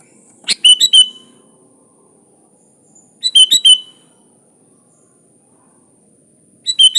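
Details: Sooty-headed bulbul singing lively natural phrases, used as training song for other bulbuls: short bubbly whistled bursts of three or four notes, repeated about every three seconds, over a faint steady high whine.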